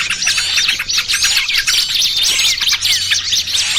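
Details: Short burst from a lure for trapping small birds, noisy trucukan plus 'burcil kejepit' cries: shrill, tangled chirps and rising-falling squeaks crowding together over a faint low drone.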